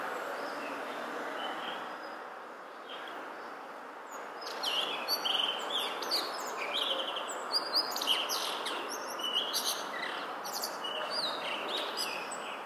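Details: Blue rock thrush singing: after a quiet start, clear short whistled phrases and chirps repeat rapidly over steady broadband background noise.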